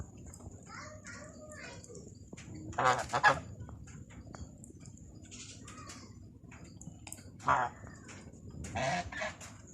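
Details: Black swan giving a few short, loud honking bursts with a reedy, slightly whistled tone, spaced several seconds apart. A steady low hum and a faint thin high tone continue underneath.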